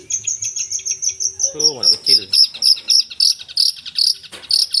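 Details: Long-tailed shrike singing a full, varied song: a fast series of sharp, high chirps, about three or four per second, with a brief lower chattering phrase in the middle.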